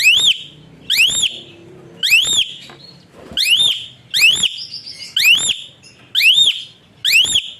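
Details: Asian pied starling's whistle-like song, used to stimulate other birds to sing: eight loud, rising whistled notes at an uneven pace of about one per second, each a quick bright upsweep.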